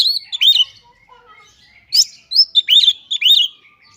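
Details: White-rumped shama (kacer) in gacor song: a few sharp whistled notes, a quiet stretch, then a quick run of bright rising and falling whistles.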